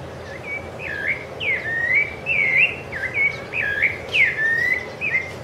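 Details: Rufous-bellied thrush song from Ilha do Governador, Brazil, January 2013: a continuous run of rich, warbled whistles, each phrase bending sharply up then sliding down, repeated quickly with short pauses over a low steady rumble.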